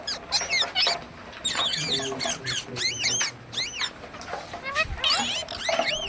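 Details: Parrot chattering with repeated looping chirps and squeaky whistled notes in fast runs, above a steady noisy hiss.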